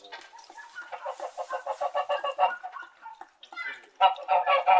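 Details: Domestic white geese honk in quick, nasal, overlapping bursts, several calls a second, with a short lull before a louder chorus resumes.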